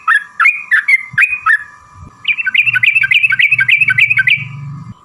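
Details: Yellow-vented bulbul (trucukan) in a long, lively song used as a lure to make other birds answer. Short bubbly chirps, then a fast run of rising and falling warbled notes, over a steady low hum.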